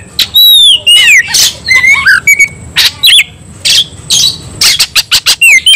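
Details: Oriental magpie-robin in a fighting mood, agitated and persistent: loud high whistled phrases with sliding notes, sharp harsh bursts and rapid chattering, delivered in quick clipped volleys.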